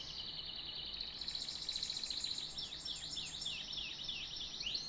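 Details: Canary singing a dense, rapid rolling trill high in pitch, shifting into a run of short descending slurred notes and finishing on a rising sweep; low background hum throughout.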